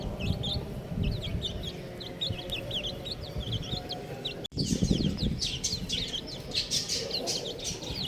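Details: Chicks utter rapid high chirps, evenly spread at first; after a brief cut, harsher broadband rustling and scratchy noise cover the calls.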